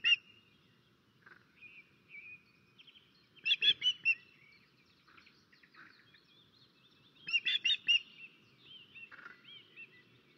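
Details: Osprey on its Estonian nest on 13 May 2024, raising alarm while a crow attacks: scattered single whistles and slurred notes broken by two loud bursts of rapid, shrill, repeated yelps about four seconds apart.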